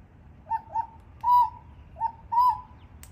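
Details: Male Australian king parrot, just arrived at a doorway, gives clear, piping whistles: short paired notes alternating with longer held ones, about one a second, over a faint low hum.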